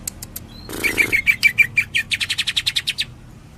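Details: Cucak ijo, the greater green leafbird, in a Cililin tembakan song: a brief flutter, then a rapid, even string of sharp, ringing notes that rises slightly and fades out after about three seconds.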